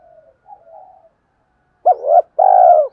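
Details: Spotted dove call to attract wild doves. A few faint, soft coos come first, then a pause. A loud phrase follows: a short wavering note and a long drawn-out cooo.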